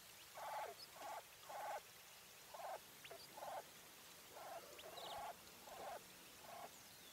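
A common quail hen gives a series of about nine short, nasal, mid-pitched notes at an uneven pace, roughly one every half to one second, over faint background chirps.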